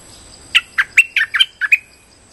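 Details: Streak-eared bulbul lure call for trapping: seven clear, chattering chirps in a little over a second, alternating higher and lower notes, with a faint hiss behind them.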